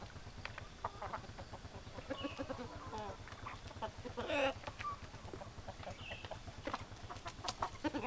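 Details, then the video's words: A flock of hens clucks almost continuously in choppy bursts, with occasional louder squawks and a harsh squabble midway. A constant pulsing low drone runs underneath. "Chicken Sounds Noises Hens Clucking Roosters Crowing"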